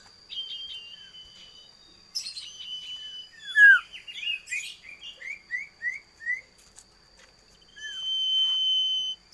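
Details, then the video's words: Common iora singing: scattered high chattering notes and a falling slurred whistle, followed by a quick series of five upswept whistled notes, then a long level whistle to close, over a thin constant high-pitched tone in the background. "Suara Burung Imut Sirtu / Cipoh / Cito / Sirdum"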